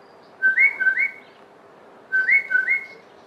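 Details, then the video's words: Southern Boubou in a garden in the Eastern Cape, South Africa, giving two clear, liquid whistled phrases about 1.7 seconds apart, each a short low note followed by two ringing, slightly rising whistles. "Southern Boubou"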